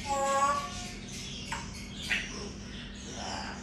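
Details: A grey parrot says "Assalamualaikum" in a short, voice-like phrase, then two brief squeaky notes follow over a low background hum.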